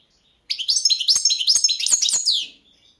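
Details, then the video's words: Balkan goldfinch, Carduelis carduelis balcanica, singing for a 2022 world championship song competition held online: a continuous two-second run of bright, rapid twittering notes with tinkling trills and sharp chirps, clean and without other sounds. "Pesma štiglića 008/22 World Championship in Goldfinch Song"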